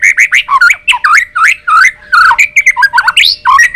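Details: White-rumped shama in fighting competition song, a dense stream of short swooping whistles and chattering notes delivered almost without pause, varying up and down in pitch.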